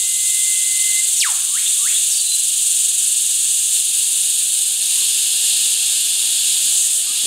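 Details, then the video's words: An Olive-backed Oriole at Deep Creek, Narrabeen, Australia, on 14 January 2011 gives a thin held whistle, then a few quick, sharply falling and rising whistled notes, over a loud, steady high insect hiss. "Olive-backed Oriole"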